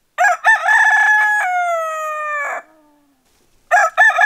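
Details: Rooster crow played as a wake-up service: a single full cock-a-doodle-doo with broken staccato opening notes and a long, gently descending tail, then a pause and the start of another crow.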